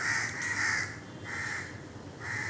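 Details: Crows calling in a group in the morning, cawing harshly and repeatedly at a monkey sitting in a tree, three loud grating caws in under three seconds with more crows joining; the monkey has visited for about ten days.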